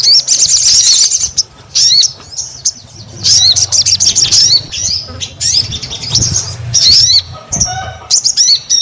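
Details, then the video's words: Sogon in full voice with high, scratchy twittering phrases of rapid chirps and flicking notes, repeated in bursts over a faint low hum. "SUARA SOGON GACOR !! JANGAN BIARKAN SOGONMU BISU ATAU MALAS BUNYI"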